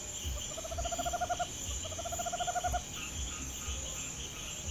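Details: Tropical Screech-Owl (corujinha-do-mato), a very common owl, calling at night around a house: two rapid, purring trills of evenly spaced low notes, each lasting about a second, over a steady high-pitched insect drone.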